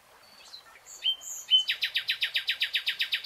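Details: In a green forest, a nightingale gives a quiet pure whistle, then a sharp accent, followed by a rapid, even volley of loud, clipped repeated notes roughly four per second.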